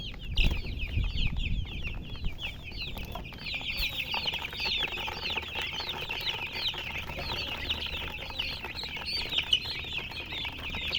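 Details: Colour chickens give a continuous chorus of thin, sharp chirps sliding downward; a few dull thumps and some fluttering come at the start, then chirping dominates.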